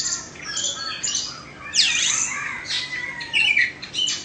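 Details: Oriental magpie-robin, a bird in its second year, singing a varied run of high whistles, sweeping slurs and harsh squawky notes in quick bursts; the room is otherwise quiet.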